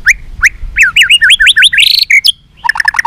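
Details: White-rumped shama delivering a long challenging song meant to provoke fighting: sharp upslurred whistles repeated in quick succession, a buzzy sustained note, then a burst of rapid clipped chirps.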